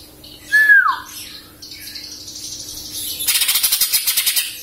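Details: Young captive greater green leafbird, juvenile speckling just gone and moult still to come, gives a clear whistle that slides downward, then a rapid run of harsh, rasping chatter notes.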